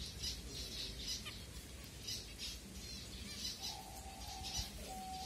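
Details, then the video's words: Finches at food time in Kanyakumari, India, filmed on a phone: quick harsh squawky notes repeated about twice per second, rhythmic and overlapping, with a faint steady whistle-like tone near the end. "Finches 🐦Ep#08 Food time"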